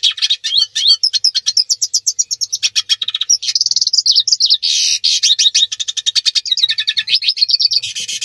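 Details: Hooded siskin (Carduelis magellanica) singing in courtship: a fast, unbroken, high-pitched twittering of rapid chirps, buzzy trills and short whistled slurs that runs without pause for about eight seconds, with no other clear sounds.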